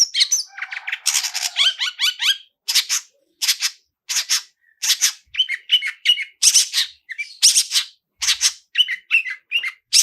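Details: Long-tailed shrike 'toet toet' lure song with rich fill-ins, used to start birds singing: a long, varied medley of scratchy bursts, rising chirps and short whistled notes in quick succession.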